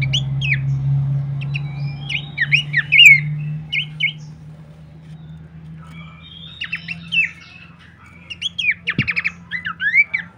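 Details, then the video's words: Horsfield's babbler master song for bird training: scattered bursts of chattering whistles and squeaks with quiet gaps, a late rapid trill, and a steady low hum throughout. "pancingan dan masteran terbaik mewah khas burung pelanduk semak"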